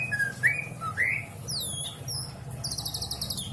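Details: Pet greater green leafbird at a house in Indramayu, Indonesia, delivering a varied song with a full repertoire: rising whistles, sweeping high slurs and a fast trilled burst of very high notes, with a constant low hum behind.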